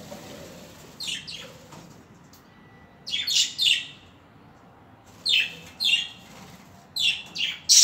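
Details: Budgerigars giving scratchy high chirps in small groups of two or three, separated by short silences.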